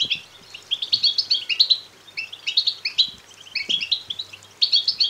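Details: Begging goldfinch nestlings, lively natural calls meant to excite males toward singing and mating: fast, high chirps and twitters in clustered bursts with short pauses, over a faint low hum.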